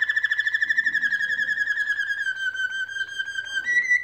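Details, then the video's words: Canaries singing while building a nest; one long, pure whistled note held for about four seconds, wavering at first, then steadying and slowly sinking, ending with a short higher note, with a faint steady hum underneath. "canarios haciendo el nido y cantando"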